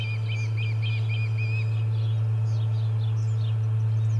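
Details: Osprey at the Charlo nest, 30 July 2020, amid fish-delivery commotion: five clipped, whistled chirps in quick succession open the recording, then fainter high twittering over a persistent low hum.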